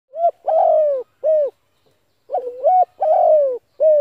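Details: Spotted dove cooing, used to excite a decoy bird for trapping: mellow mid-pitched coos in quick phrases, a short note, then a longer wavering coo, repeated twice across four seconds with clean silence between.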